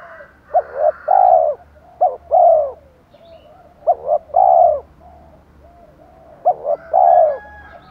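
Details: Spotted dove cooing in Thổ style with fight-provoking phrases, used to attract wild birds: three repeated phrases of paired short coos leading into a rich, drawn-out low coo, with a faint hum underneath.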